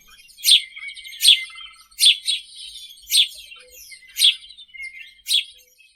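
A house sparrow repeats harsh, bright chirps about every three-quarters of a second, each a quick burst of chatter with faint twittering between.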